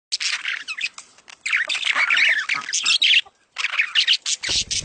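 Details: Budgerigars giving a mating call used to stimulate breeding: dense, scratchy, high chattering and squawks in rapid bursts, with a short pause just past three seconds.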